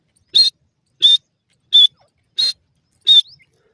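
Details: Grey francolin in woodland giving five short, piercing, high-pitched notes at a steady pace of roughly one every 0.7 seconds. Clean silence separates the notes.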